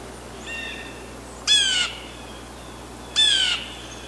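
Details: Blue jays on 14 February in the Quebec winter, two harsh, nasal, slightly descending jeers about a second and a half apart after a fainter, softer note, against a quiet background.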